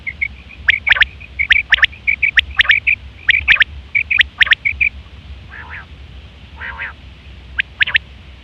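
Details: Female quail (batair) used as a hunting lure: quick run of thin high notes with sharp snapping chirps, then a pair of harsh nasal buzzes and a last double click, over low background hum.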